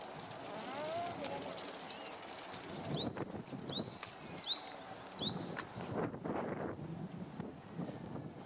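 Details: Japanese tit spring song: several quick rising whistled sweeps paired with short high notes over about three seconds, then stopping, amid rustling and low background noise.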